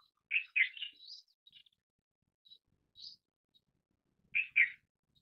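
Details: Indian silverbill with a pair of loud, buzzy chirps running into a rising twitter, a few isolated high tweets, then another loud double chirp near the end.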